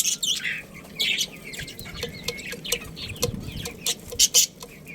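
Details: Budgerigars of a breeding pair, Australian parrots kept as pets, chattering in bursts of high, scratchy chirps and warbles, with brief louder squeaks near the end over a low background rumble.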